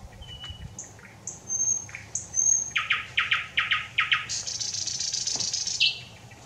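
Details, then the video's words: Thrush nightingale singing 25 May 2021: clear high whistles lead into a steady train of hard chock notes, then a long rapid high rattle closing with a falling sweep. "Satakieli laulaa, ääni kauniisti ja selvästi - Lucsiana lusciana"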